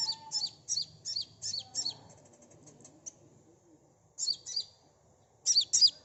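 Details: ['Sunbird song played as a lure for a quick response: clustered groups of high, sharp chirps repeated in short bouts, with quiet gaps between bursts and a faint low hum beneath.']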